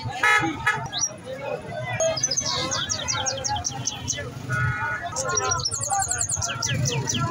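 A goldfinch sings a fast, tinkling jumble of twittered notes and liquid trills, over a background of voices, traffic hum and a horn-like tone.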